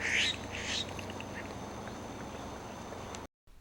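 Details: A Florida scrub-jay, a cooperative breeder living in family groups, calls by a small ephemeral wetland in Lyonia Preserve's Florida scrub. It gives two quick, harsh, rasping calls in the first second, then fades to a low hiss.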